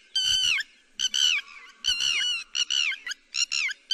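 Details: Lapwing, as used to attract birds for netting: loud, harsh, descending cries repeated roughly every half second to one second, each with a short clipped tail.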